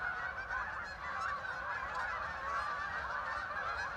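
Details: Huge flock of ducks landing on the Hockanum River in Vernon, Connecticut, heard from a riverside trail; an unbroken wall of mid-pitched honking calls from countless birds, with a faint low rumble beneath.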